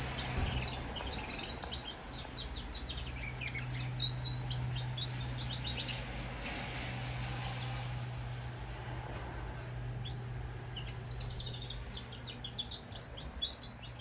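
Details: Goldfinch and canary hybrid sings bursts of rapid, high twittering chirps near the start and again toward the end, with quieter gaps between and a steady low hum throughout.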